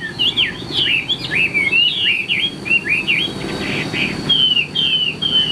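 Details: Caged Chinese hwamei in Vietnam, kept for tail-spreading contest singing, gives a lively song of varied slurred whistles and quick rising and falling phrases, delivered almost without pause over a low background rumble.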